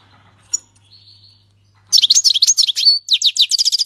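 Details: Song of a Syrian goldfinch in the 'king's language' style, sung without faults: a thin sustained whistle, then an unbroken stream of fast, tinkling, buzzy twitters repeated several times a second until the end.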